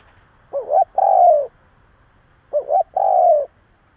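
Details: Spotted dove kept as a decoy, cooing to provoke rival doves: two matching phrases two seconds apart, each a quick warbling double note followed by a long, steady, mellow coo that sinks slightly at the end.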